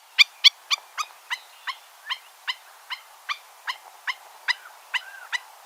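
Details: A stilt gives a rapid series of sharp, high "tip" notes, about fourteen in under six seconds, the first few loudest, while a crow and a red-winged blackbird call faintly in the background.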